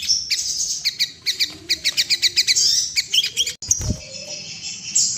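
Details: Sooty-headed bulbul in breeding condition, a sound meant to make other bulbuls droop and flutter their wings. A fast run of sharp, clipped chirps, about a dozen in three seconds, gives way to a thin, high, buzzy tone.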